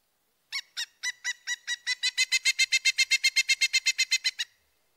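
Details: Pileated Woodpecker call, a playback example with an obvious rise and fall in pitch: a long run of about twenty-five loud, evenly spaced notes that start slowly, quicken, then cut off, in a quiet background.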